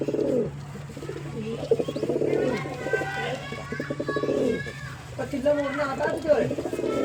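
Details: Pigeon cooing: deep, throaty, pulsing coos come in bursts of about half a second, with a louder run near four seconds. Fainter chirps from other birds sit higher above them, over a steady low hum.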